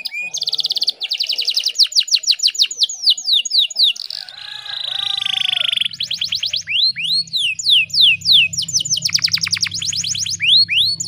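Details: Female canary in breeding condition singing to lure a male, Indonesia: long rapid trills of sharply falling high notes, broken by a harsh buzzy passage, then hooked rising-and-falling whistles repeated several times a second.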